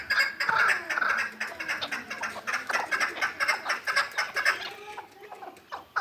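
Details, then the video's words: Hybrid partridge, a six-month-old young bird from Kulob, calling in rapid repeated chuk notes roughly twice a second. The notes are loud at first, then become uneven and fade toward the end. "Кабки гибрид"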